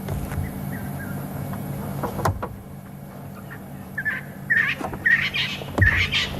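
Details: 13 Francolins at Djuma on 6 December 2015 at about 17:27, near a leopard sighting, giving harsh, grating alarm notes in a quick burst of four or five over the last two seconds, over a low safari-vehicle engine rumble.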